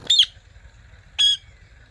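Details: Pet Blue Ringneck and Kiwi Ringneck parrots. Two short, loud, harsh, high-pitched squawks about one second apart, each rich in overtones, with a soft low hum underneath.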